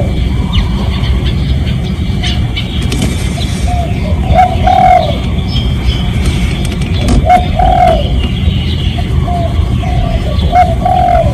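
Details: Spotted dove decoy call used to lure other doves. Low hoarse coo phrases about three seconds apart, each ending in a slightly falling note, over a steady low rumble of background noise.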